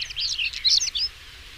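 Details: Short European stonechat song burst: about a second of rapid, twittering high notes with scratchy edges, ending in a thin rising squeak, followed by low background hiss.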